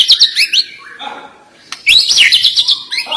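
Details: Murai batu, the white-rumped shama, giving bright, high, rapid scratchy-whistled phrases, a quieter lower passage, then another dense burst of twisting notes.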